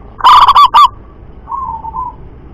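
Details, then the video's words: Wild local perkutut, the zebra dove, in a single loud rolling burst of four quick trilled coo notes, then a softer wavering coo trailing off. "perkutut lokal suara MENJERIT‼️ DOBEL KUK KERAS&NEMBAK"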